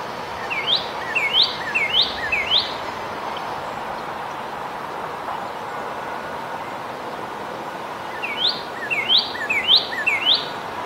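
Northern Cardinal singing two phrases of four or five clear, slurred whistles, each sweeping up and over, about eight seconds apart, over a steady low background hiss.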